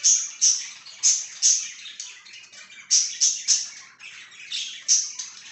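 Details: Budgerigar chirping energetically: a rapid series of loud, sharp, high chirps in small bunches, over a continuous, scratchy, buzzing warble.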